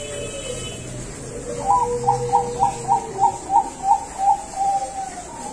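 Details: Farm-bred Bangkok zebra dove from Tasikmalaya, West Java, delivers a rhythmic cooing phrase. A low introductory note leads into roughly nine quick, mellow repeated coos at a steady pace, then trails off. A constant faint background hum is present.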